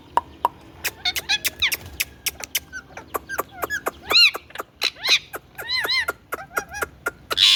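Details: Indian ringneck parakeet, a talking parrot, giving harmonic, arching, speech-like vocal sounds in the second half, amid a steady series of sharp clicks and taps.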